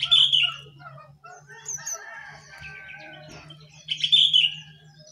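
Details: Jongkangan singing actively from on top of its cage: loud high slurred notes, softer twittering in between, and another strong phrase, over a continuous low hum.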